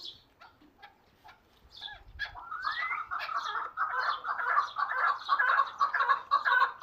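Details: Hunting chukar partridge: after a few scattered clicks and short notes, a dense run of harsh, clucking chuk notes builds from midway and grows louder, with one rising slurred note just before it.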